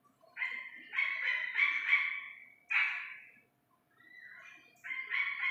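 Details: Calls of an Iranian partridge chick: a long burst of linked, ringing harmonic syllables, a single strong note, a short silence, then a quieter rising note leading into another loud burst.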